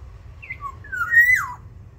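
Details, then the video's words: Aviary-kept black-naped oriole sings a mellow whistled phrase in about one and a half seconds: a brief high note, a lower slur, then a long liquid whistle rising before a steep falling glide, over a soft low hum. "Kepodang emas gacor"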